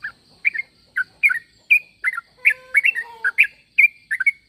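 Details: Sooty-headed bulbul answering-call: lively chirpy phrases repeated about twice a second, with brief low whistled tones from another bird midway and a thin steady hum behind.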